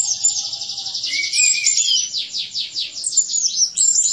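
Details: Orange-headed thrush, a caged songbird, singing for cage-bird training: continuous high rapid trilling with repeated sweeping notes, a few buzzy rattles and a low whistle underneath.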